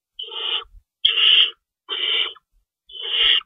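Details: Nest of owls at night feeding time, March 25, 2012, with stored rabbits. Four coarse, wheezy screeches, each about half a second long and spaced about a second apart, the second starting with a sharp click.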